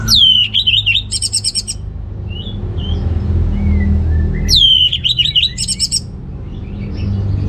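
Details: Two loud phrases from an orange-headed thrush, played to stir males low in breeding drive: each a falling whistle leading into rapid buzzy trilled notes, with faint soft whistles between.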